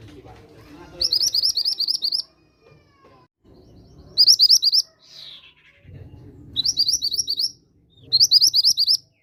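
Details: Four separate bursts of rapid, high, upswept chirping notes from a mantenan gunung, played as a lure to stimulate other mantenan birds' singing, with a brief slurred note between and faint low voices or rumble in the gaps.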